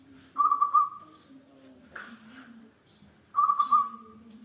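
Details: Actively singing local zebra dove, used as a lure for other birds: two bubbling, trilled coos ending in drawn-out tones, a soft bump between them, and a brief high rustle over a steady low hum.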